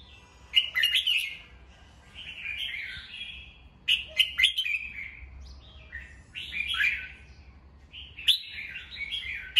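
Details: Caged red-whiskered bulbul singing in the morning, kept by bird hobbyists for voice training and to rouse young birds: mellow warbled phrases with sharp clicks, in three bursts about every three to four seconds.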